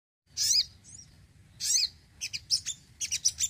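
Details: Home-kept crimson sunbird singing actively: high, thin squeaky chirps and twittered phrases in short bursts, two longer notes then a quick run of sharp tweets near the end; faint low hum underneath.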